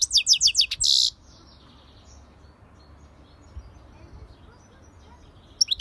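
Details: European goldfinch song opening with a fast series of tinkling twitters that ends in a dense buzzy rasp. Quiet follows, then a few more twittering notes at the close.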